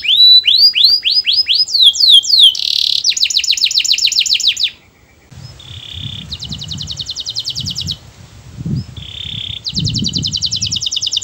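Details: Melodious canary song intended to prompt other birds to sing: quick descending sweeps and dense trills, then steady buzzy rattling phrases separated by short pure tones, with low background rumble in the second half.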